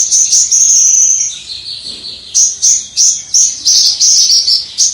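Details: Javan bush lark, a kept songbird singing in a clear 'crystal' voice, heard from afar: a long sustained high whistle-trill, then a run of short bright notes repeated about three times a second.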